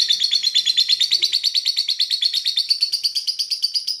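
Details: Pandora lovebird in captivity delivering its long ngekek song, a fast, raspy string of piercing high notes about three per second, held steady and slightly rising in pitch.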